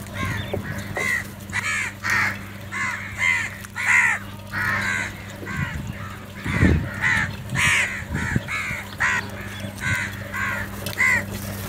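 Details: Crows fighting over food, calling loudly. Harsh, hoarse caws come in rapid overlapping bursts, roughly fifteen calls in twelve seconds, with a steady low hum and occasional thuds underneath.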